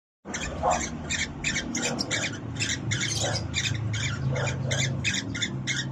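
A cockatiel gives a quick run of harsh, scratchy squawks, repeated several times a second.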